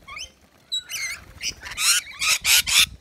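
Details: Rainbow lorikeets at a balcony nectar feeder filled with wet lori mix; a few high chirps and slurred whistles build into a rapid run of loud, broadband screeches about four per second.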